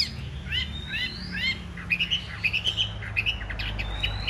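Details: Chinese hwamei cage bird, large and in fighting spread display, singing: a few rising whistled slurs, then a run of short bright repeated notes in quick pairs and threes, ending with a long upward whistle; faint hum behind.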